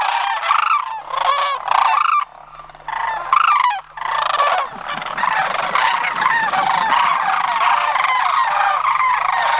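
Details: Sandhill cranes gathered for September migration at Homer. Loud, rattling trumpet calls come in bursts for about four seconds, then give way to a steady broad rushing noise.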